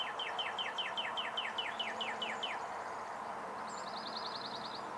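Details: Male Northern Cardinal singing in Onslow County, North Carolina, 4 April 2015: about ten clear, downslurred whistles; a Blue-gray Gnatcatcher and a Chipping Sparrow call in the background, with a high, fast trill and steady hiss.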